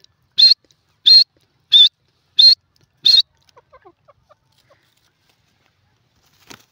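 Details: Grey francolin calling: five loud, harsh, evenly spaced notes about two-thirds of a second apart, followed by a scatter of soft, faint low notes and a brief click near the end; otherwise quiet.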